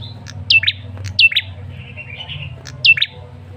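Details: ['Male red-headed tailorbird call, used as a lure to draw a response: sharp high notes that swoop down in pairs, three bursts over under four seconds, with softer twittering between and a low background hum.']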